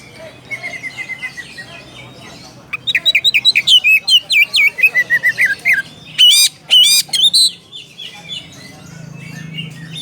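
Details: Oriental magpie-robin calling out to a rival, opening with a soft fast trill, then loud clipped whistles and harsh sweeping notes in quick bursts, a few very piercing notes near the middle, and a low hum underneath.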